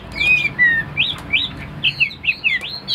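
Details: Chinese hwamei in a cage giving long pure whistles followed by short, rising-then-falling whistled notes spaced about a third of a second apart, loud and clear.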